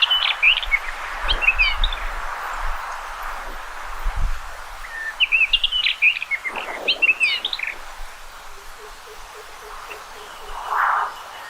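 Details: Two bursts of fast, tumbling whistled warbling from a common rock thrush, separated by a quieter stretch with rustling, a soft low murmur and a faint run of ticking notes near the end.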